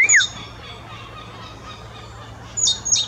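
A nuthatch gives a single short, clear note that slurs downward, followed by quiet and then a couple of thin, very high chips near the end.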